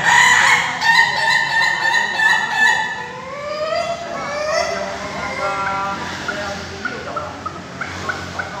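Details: Ayam Ketawa roosters at a laughing-chicken crowing practice contest in Bogor, Indonesia: long harmonic crows with drawn-out, wavering notes, overlapping callers and crowd noise behind.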